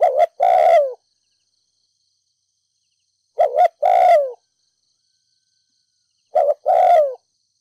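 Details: Spotted dove used as a decoy in Ninh Thuận, giving repeated 'thúc gù' urging coos in 'đồng pha thổ' voice to stir up decoys. Three phrases roughly every three seconds, each a short double note then a long downslurred coo. Quiet background.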